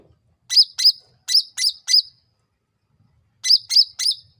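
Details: Sooty-headed bulbul in a lure recording used to draw rapid replies: clean, high, arched chirps in a group of five, a pause, then three more, on a quiet background.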